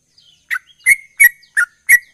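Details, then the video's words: Sooty-headed bulbul in full gacor song: five short, bright slurred whistles spaced about a third of a second apart, each with a crisp high click at its start, after a faint thin lead-in note. "Trucukan Gacor Ropel"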